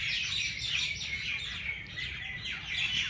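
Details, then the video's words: Birds chirping early in the morning at the Race Course, Jilani Park, Lahore, a continuous mesh of high, thin twitters and quick tweets from several callers. "Birds sounds Chirping at race Cource Jilani Park Lahore صبح سویرے پرندوں کی پیار بھری باتیں"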